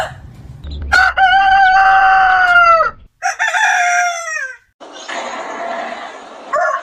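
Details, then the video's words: Roosters of different types crowing on a chicken farm: two loud harmonic crows in quick succession, the first long and level, the second shorter and falling at the end, then a hoarse, noisy crow trailing off. "The Rooster's Crow: The Sound of a New Beginning"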